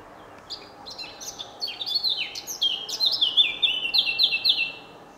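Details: Eurasian blackcap (Sylvia atricapilla) singing in the morning at Senigallia, 25 June 2016: a quick, chattering warble of high notes growing louder and breaking into clear, fluty, falling phrases, over a faint low hum.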